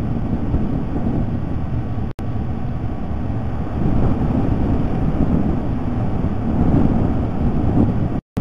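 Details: Steady low rumbling wind noise fills the recording, with two brief dropouts and no animal calls.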